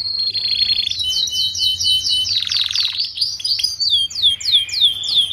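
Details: Canary song for teaching young group-kept canaries to sing quickly: a steady high whistled tone with fast warbling swoops above it, a brief harsh buzz, then clear downward-curving notes repeated rapidly.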